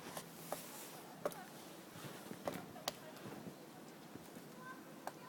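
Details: A woodpecker in a forest pecking at a birch gives single sharp knocks on wood, spaced irregularly about a second apart, over a soft, steady forest hush.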